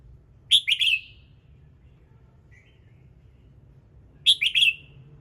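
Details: Red-whiskered bulbul singing in the morning, meant to trigger other birds to sing: two bursts of bright, chirpy phrases about four seconds apart, each a sharp note followed by rolling warbled notes, with a faint low hum beneath.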